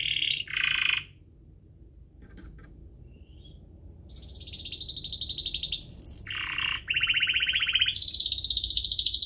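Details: Duet of singing canaries used to coax other canaries and young birds into song; bursts of lower buzzy notes alternate with high dense rattling trills, with gaps and steady low background noise.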